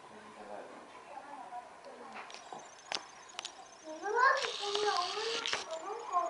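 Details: Humboldt penguins at Zoorasia Yokohama zoo, Japan, with a grey heron among them, give loud, wavering, braying cries rising and falling in the last two seconds after quieter murmurs, with people talking in the background.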